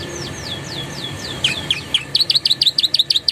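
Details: Canary used as a tutor singer, its song mixed with Javan tesia and bar-winged prinia phrases. Soft descending whistles lead into a fast series of bright double-noted chips over faint background hiss.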